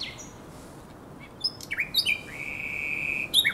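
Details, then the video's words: Common nightingale singing at the Żerański Canal on the night of 23–24 April 2022; after a quiet start, short varied chirps and slurred notes lead into one long, steady, pure whistle, then a sharp closing flourish. "Śpiew słowika rdzawego na Kanale Żerańskim"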